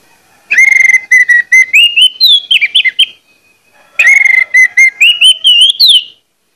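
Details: Orange-headed thrush singing to goad other males into song: two long phrases of repeated clear whistles climbing in pitch, ending in twisting high slurs.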